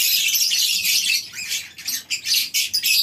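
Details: Many lovebirds in a colony aviary at a breeding farm on a morning, a dense, continuous chorus of shrill, high chirps and squeaks with brief dips toward the end.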